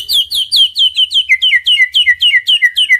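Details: Male white-rumped shama sings a master phrase meant to excite quiet birds into singing: about fourteen sharp, down-slurred whistled notes, evenly spaced roughly four per second, dropping slightly in pitch toward the end.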